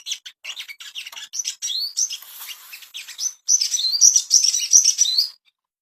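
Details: Ashy tailorbird audio played to bring birds into breeding condition: rapid high chirps and twittering, then loud, clear whistled phrases that rise and fall in quick succession before stopping abruptly.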